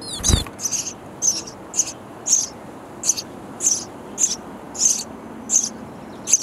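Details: Baby sparrows chirping loudly for food inside a bird house nest; a brief knock opens, then evenly spaced high raspy chirps follow roughly twice a second.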